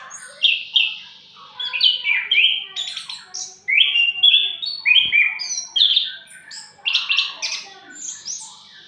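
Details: Punglor merah, the orange-headed thrush, a master bird singing ngriwik: rapid varied phrases of sharp chirps and squeaky slurs in short bursts separated by brief pauses, with one soft thump midway.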